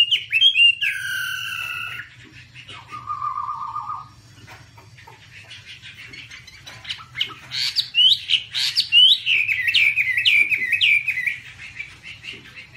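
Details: Singing Chinese hwamei, a passerine of eastern Asia, waving its wings: opening loud buzzy notes and a steady tone, then a quiet stretch before a burst of rapid, looping whistled phrases, with a low background hum.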